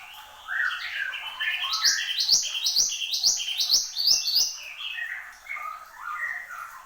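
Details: Vigorous song from a Horsfield's babbler (mantenan gunung): a quick series of sharp, upward-flicking notes about twice per second, then softer lower warbling whistles trailing off, with sharp clicks between notes.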